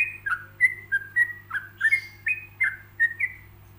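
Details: Steady ropelan-style singing from a yellow-vented bulbul, used as a model for other bulbuls to copy. Crisp, slurred whistled notes come about three per second, alternating rising and falling, over a faint hum.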